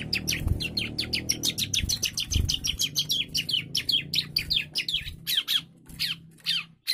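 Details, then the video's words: Bar-winged prinia, a young bird singing in an agitated burst: rapid, unbroken string of high, downward-sweeping chirps, roughly three per second, running for about seven seconds with faint low background rumble. "CIBLEK GACOR DOR,, CIBLEK MUDA NGAMUK"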